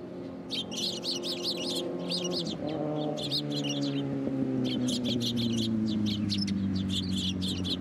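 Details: Early-morning sparrows come to a Tenmangu shrine to be fed, 18 October 2022, the day after rain; a dense chattering flock of rapid high chirps runs almost continuously, with a low droning engine-like hum beneath.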